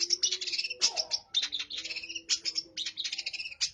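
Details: Long-tailed shrike singing with house sparrow imitations mixed in: a busy run of short, high, chirping and chattering notes in quick irregular bursts, over a faint low steady hum.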